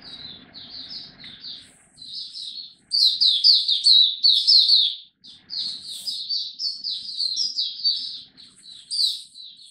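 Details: Caged Oriental white-eye giving a song display, recorded 26 November 2022. Soft twitter gives way to a loud, dense stream of high, jumbled chirps and warbles, continuing in waves with brief pauses.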